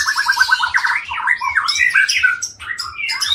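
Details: Aceh white-rumped shama, a caged long-tailed breeding bird from Indonesia, delivering a loud, richly varied song: a rapid burst of repeated rattling notes, then bright whistled slides and high chips, with a soft low pulsing hum behind.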